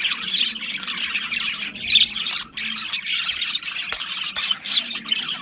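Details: Budgerigars give a continuous, high-pitched twittering babble with scattered squeaky chirps. The chatter swells and fades in short waves, with many birds calling together.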